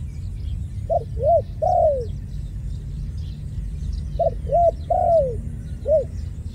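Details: Dove cooing in two phrases, each a short note, two arched coos and a longer drawn-out coo sliding downward, with a pause of about two seconds between phrases; faint chirps of other birds and a low rumble underneath.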